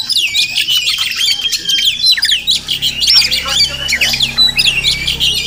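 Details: Village Oriental magpie-robin, wild, heard near a home in the morning; bright up-slurred whistles and scratchy squawks tumble in quick succession, with a steady low hum in the background.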